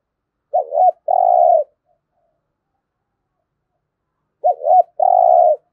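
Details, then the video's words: Spotted dove in 'thúc gù' cooing style, used for daily decoy-bird training: two low phrases about four seconds apart, each a short quavering note followed at once by a long, even, throaty coo; no other sounds. "Tiếng chim cu gáy thúc gù cực đỉnh/ chim cu gáy tập mồi luyện bổi hót theo hàng ngày rất hiệu quả"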